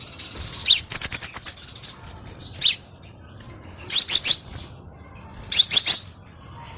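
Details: High-pitched crimson sunbird song, used as a lure to train other birds: clustered bursts of three to six rapid sharp chips, separated by pauses of one to two seconds, with a lone chip between.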